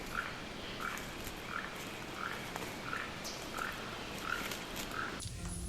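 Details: Keel-billed toucan in Maya forest at the Calakmul pyramids, Mexico, heard among the trees, giving dry, frog-like croaks, about nine in a steady run, one every two-thirds of a second; a burst of noise cuts in at the end.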